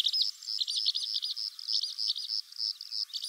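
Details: Song of a Calandra lark: a dense, unbroken stream of high, scratchy chirps and quick twittering notes tumbling together without pause, delivered at a rapid pace.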